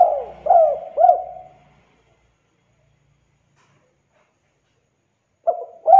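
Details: Spotted dove cooing as a lure for other doves: three short rounded coos trailing off, several seconds of silence, then the next phrase begins with soft coos; faint low hum under the first part.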